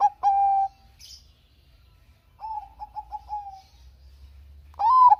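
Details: Bangkok zebra dove, a lively songster, singing on a lure track for reluctant doves: a held flat coo, a pause, a soft run of four quick clipped notes, then a louder rising-and-falling coo to close.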